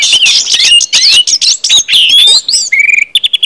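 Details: Orange-headed thrush ngeplong song to get other birds singing: dense tumbling whistled phrases, then a steady level whistle and a quick series of short clipped notes at the end.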